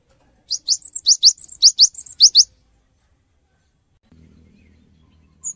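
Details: Singing cinereous tit, used as a lure to provoke quick answers from other birds: one two-second burst of around a dozen high, quick, chipping two-part notes, followed by silence and a faint low rumble.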